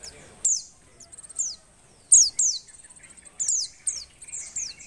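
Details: High, sweet whistled notes from a breeding-condition female Oriental white-eye, given to stir males into singing; steep falling slurs in clusters, mixed with quick, soft, ticking trills.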